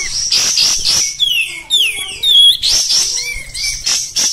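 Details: Oriental white-eye, a kept songbird, singing hard in rough 'tembak' style: shrill chattering bursts alternate with clear, sweeping whistled slides that fall and rise, then more high squeaky twitter.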